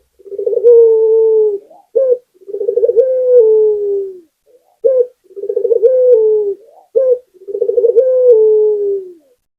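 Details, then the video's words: Steady, rhythmic cooing from an Indonesian local puter dove: a short accented note, a rapid throbbing roll and a long, smooth, slightly descending tone. The phrase repeats about every two and a half seconds. "Puter Lokal #1 - Suara Burung Puter Gacor || PANCINGAN ANTI MACET"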